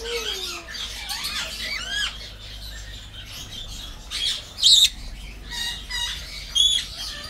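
A Senegal parrot gives shrill, sliding whistles and harsh squawks in irregular bursts every couple of seconds, over a faint low hum.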